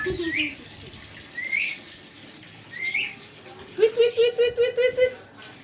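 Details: Red lory giving loud, harsh rising screeches about every one and a half seconds, followed by a quick run of six lower, voice-like harmonic pulses, with faint background noise.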